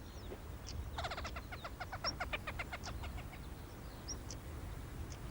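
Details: Hen harrier (Circus cyaneus), alarm call: male's alarm near the nest.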